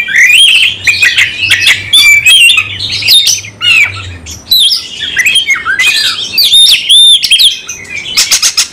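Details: Oriental magpie-robin fighting song, emotional and persistent with full material: dense, energetic medley of whistles, harsh chatter and squeaky slurs, with a faint low hum in the first half.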